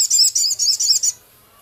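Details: Male Javan cochoa singing energetically, its song filled with scarlet minivet imitations and coarse chatter. Six fast, grating, high-pitched notes run together for about a second and then stop.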